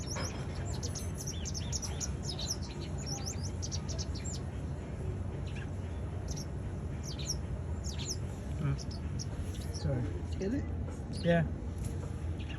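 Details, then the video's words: A pied wagtail in the UK chats away with quick, high chirping notes in fast bursts, busiest early and sparser later, over a steady low background rumble. "Pied wagtail chatting away"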